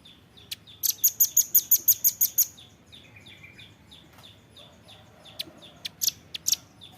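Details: Velvet-fronted nuthatch on a training recording for captive birds, giving a fast run of piercing high notes in the first seconds, followed by softer scattered chirps and a few sharp squeaky notes from other songbirds.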